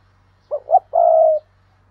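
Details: Decoy spotted dove cooing to draw in others: two quick upward hoots lead into a long, even, slightly falling coo, clean and close.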